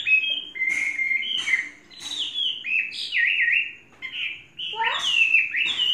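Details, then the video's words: Chinese hwamei, a caged bird kept three seasons, pours out varied loud whistled phrases, slurred up and down, some wavering, with brief gaps and a few harsh notes. "Hoa mi hót cực hay"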